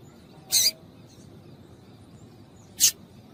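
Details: Calls of a female double-collared seedeater, played to stir up males for singing contests; two brief, bright, high-pitched chips separated by over two seconds of near silence.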